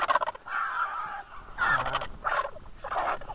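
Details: Griffon vultures in a feeding frenzy at the Hai Bar feeding station, Israel, 2 August 2021, station camera; continuous harsh grating squeals and raspy hisses in several overlapping bursts, some with a descending groaning tone.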